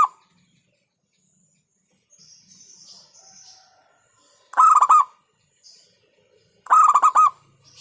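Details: Local zebra dove (perkutut lokal) singing a hentakan-style song said to provoke rival birds: two loud bursts of quick, clipped, pulsing cooing notes a couple of seconds apart, with faint high chirps between them.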